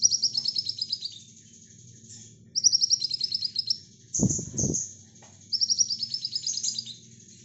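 Brown-throated sunbird singing high, rapid twittering phrases that descend slightly, repeated about every two and a half seconds, with a brief low thump midway.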